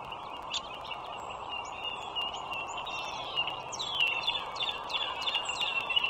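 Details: At a nest along the Dulles Greenway in northern Virginia, a wild bald eagle calls on a March 2023 morning: faint, high piping chirps that strengthen into a rapid falling chatter toward the end, with a steady hum behind.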